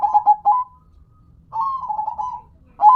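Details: Singing local zebra dove: a few quick clipped coos, a pause, then a longer wavering, rolling phrase, and the start of another loud burst at the end.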